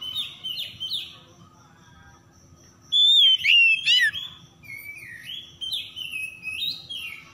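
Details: Oriental magpie-robin lure song meant to make quiet birds sing: soft repeated downward-sweeping whistles, a pause, then a loud burst of rich whistled and buzzy notes, followed by more swooping whistles.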